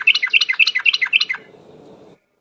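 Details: Yellow-vented bulbul song used as a lure: a rapid, bubbly chatter of about a dozen clipped notes in just over a second, then fading to a low background hum.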